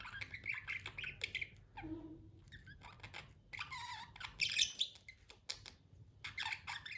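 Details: Pet budgerigar chirping; varied chattering warbles, short squeaky chirps and a few lower rasping notes in irregular bursts, a louder busy stretch around four to five seconds, with brief quiet gaps between phrases.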